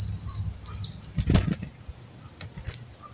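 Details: Wild black-capped chickadees coming to be hand fed; a buzzy high call lasts about one second, followed by a burst of wing flutter and a few faint short chips.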